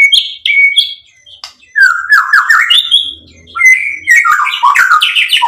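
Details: White-rumped shama song used as a lure to rouse other birds into singing: loud, varied phrases of clear whistles and rapid rising and falling slurs, broken by brief pauses, with sharp clicks and chips mixed in.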